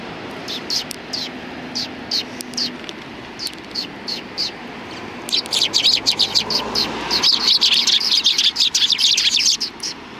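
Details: Several sparrows at the front approach of a Tenmangu shrine on 6 December 2019: short sharp high chirps, sparse at first, then a dense chattering burst of overlapping chirps in the second half.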